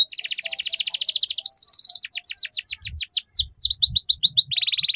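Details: Canary tutor song for young canaries to learn ngeriwik: a long rapid trill, then loud repeated downward sweeps slowing into paired curved notes, ending in a buzzy roll, with faint low thuds.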